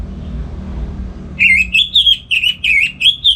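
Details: Captive orange-headed thrush in North Bali singing on a morning, used to lure and tutor other birds. After a quiet moment, a rapid series of about eight bright, slurred whistled notes repeats at an even pace.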